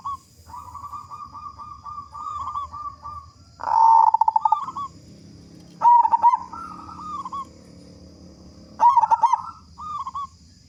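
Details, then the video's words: Zebra dove of a local strain, a strong loud singer used to prompt other doves to sing: a long run of quick rolling coos, then bursts of sharp pulsed notes each followed by bubbling coo phrases. "Perkutut Lokal Gacor Suara Besar Pancingan Burung Perkutut Agar Cepat Bunyi"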